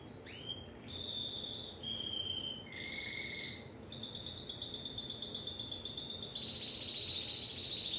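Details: Timbrado canary opening with a sharp upward note, then short separate rolled phrases at shifting pitches. These build into a long, loud, fast metallic trill that holds steady to the end.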